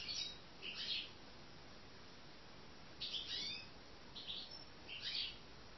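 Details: European goldfinch: short, bright, high twittering chirp bursts in a loose series of about six over six seconds, some notes doubled, over a steady low background hiss.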